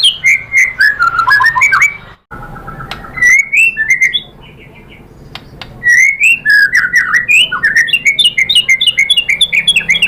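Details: White-rumped shama singing to provoke other birds: varied warbling phrases, a short break with faint buzzy notes, then a long series of quick, high, rhythmic chirping whistles.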